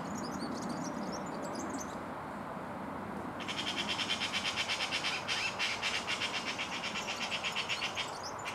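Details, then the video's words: European serin perched just a few metres off, not shy, singing a fast, high, sizzling jingle of tightly repeated pulses that carries on for about five seconds, preceded by soft scattered twitters, with a steady low background hum throughout. "SERIN CINI qui chante"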